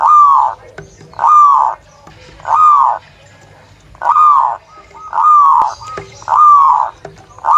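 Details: Local zebra dove song used as a lure for other zebra doves: a series of mellow, rounded coos, each about half a second long, repeated roughly every one to one and a half seconds. Faint clicks and low rumbling sit in the background.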